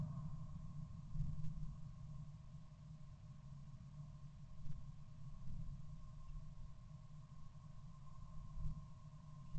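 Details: Quiet, steady low hum with a faint mid-pitched electrical tone and soft background rumble throughout.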